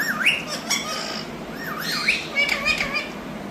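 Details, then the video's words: Indian rose-ringed parakeet kept as a pet and taught to speak, voicing looping wavy chatter and squeaky upward-bent notes amid soft clicks and a steady low hum. "Indian Parrots Talking"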